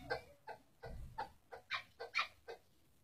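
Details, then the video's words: Chukar partridge giving a rhythmic run of eight harsh, clucking notes, about three per second, with some notes rising in pitch toward the end of the series. "orjinal keklik sesi ) оригинальный звук куропатки ) صوت الحجل الأصلي ,partridge sound chakoor"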